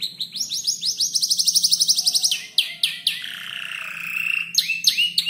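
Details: Young canary around five months old composing its song by copying other birds such as ciblek and prenjak lumut; a fast trill of descending high notes, then sharp chips and a long sweeping whistle, over a soft low hum.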